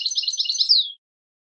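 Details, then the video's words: Goldfinch twittering: a fast, dense burst of high tinkling notes under a second long, finishing with a drawn-out falling slur; otherwise silent. "Motivational Techniques for Beautiful Melodies Your Goldfinch's"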